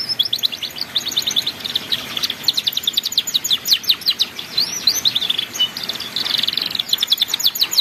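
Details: Canary ngeriwik master song for young canaries: continuous rapid high trills and chattering notes, with a few swooping whistles, over constant background hiss.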